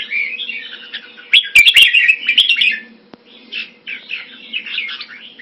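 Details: Caged red-whiskered bulbul singing quick, uneven chattering phrases, a dense loud burst followed by a brief pause and softer scattered notes, with a low electrical hum and a few sharp clicks.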